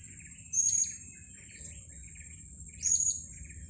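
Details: Blue-crowned hanging parrot near mangroves giving its 'panggil dekat' close-contact call, said to be the same everywhere: two thin, very high-pitched whistled notes about two seconds apart, softer chirps between, faint low hum.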